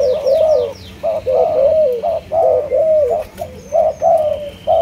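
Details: Loud, continuous cooing of a Malaysian-line spotted dove: rolling low hooted notes in quick succession, brief gaps between phrases, with faint high chirps from other birds in the background.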